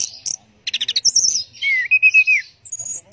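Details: Orange-headed thrush singing teler style: a quick series of staccato notes, then a loud bright whistle and a long wavering descending warble.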